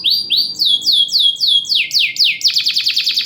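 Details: Champion caged canary, loud lure song with tight pauses for stimulating canaries that rarely sing: a rapid series of high, downward-sweeping whistled notes, speeding up into a fast ringing trill, over a faint low hum.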